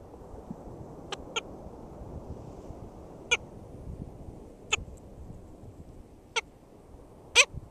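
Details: Black skimmer at its nest, St. George State Park, Florida, 22 June 2013, giving scattered short nasal yaps every one to two seconds, the last one loudest, with a low background rumble.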